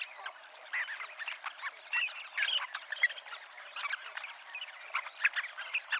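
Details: Dunlins on the Ría de Noia shore call in bursts of quick twittering notes, building and easing in loudness, with brief quieter gaps between the louder clusters.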